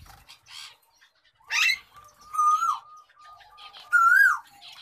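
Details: Java sparrow of the wild gray colour form: a few dry, rattling bursts followed by clear, ringing whistled notes, some level and some bending upward and then falling, given in short phrases with quiet ticking between them.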